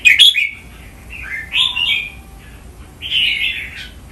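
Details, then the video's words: Cage-kept red-whiskered bulbul singing for training in Thailand, counted-note 'nap dok' style: an abrupt sharp note opens, then bubbly rising-and-falling whistled phrases with a faint lower tone, pausing before a final warble. "นกกรงหัวจุก ร้องเล่นริก"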